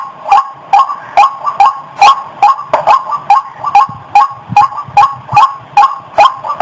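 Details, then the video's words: Female white-breasted waterhen in heat, recorded directly from a bird about to mate: a steady series of short, croaking double-noted calls repeated about two and a half times per second, roughly sixteen notes in a run. "Suara Burung Ayam Ayaman/Ruak Ruak Betina Lagi Birahi"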